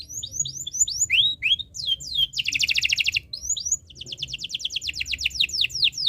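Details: Canary in breeding condition, singing to set other birds singing: high whistled upslurred notes, then a dense buzzy trill and a long run of quick repeated sweeping notes.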